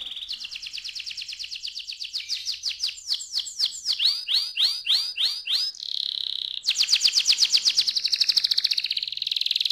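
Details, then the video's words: Young canary in full song: buzzy rolling trills lead into slower, swooping whistled phrases, then a sustained tone and a dense, fast rattling trill, changing style every couple of seconds. "ampuh membuat kenari muda gacor"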